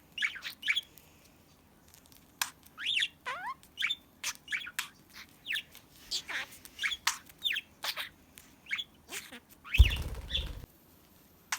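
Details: Pet budgerigar's chatter, shared for finding a lost bird: quick strings of sharp chirps and rising and falling whistled notes, with a brief rustling thump near the end.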